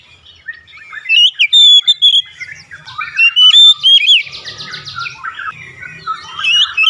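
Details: Therapy song of an Oriental magpie-robin meant to make birds open their beaks quickly; loud sweet whistles mixed with a dry rapid rattling passage and scratchy chatter.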